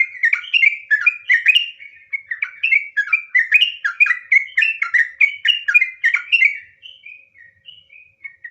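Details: Sooty-headed bulbul (trucukan) singing in nggaruda ngropel style: a fast, rolling torrent of warbled whistled notes for about six seconds, then slowing into a few spaced, softer whistles.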